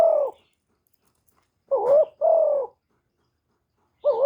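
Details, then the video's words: Spotted dove used as a lure to stir up other kept doves, recorded cleanly: a fading coo, then after a pause a bending note joined to a long smooth coo, and another phrase beginning at the end. "Tiếng chim cu gáy mồi chuẩn kích bổi mỗi ngày, tiếng cu gáy gọi.cu gáy kích trống.cu đất gáy.Cu cườm"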